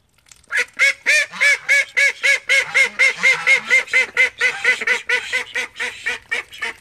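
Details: A call duck among thirteen kept at home bursts into a long, rapid series of loud, raucous quacks, about four per second, evenly spaced and gradually softening.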